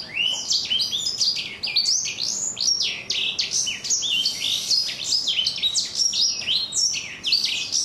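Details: Young black-throated canary, four months old, pours out a long stream of sharp, crunchy chirps and steeply sliding high notes in its rough "kriuk-kriuk" voice.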